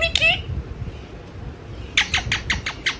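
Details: Pet parrot, called mithu, murmuring while asleep indoors: a short harmonic squawk, then after a pause a quick run of six sharp chirping notes, evenly spaced, over quiet room hiss.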